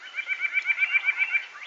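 White-breasted Nuthatch giving a fast, even series of nasal, mid-pitched notes, about eight per second, with other birds faint behind.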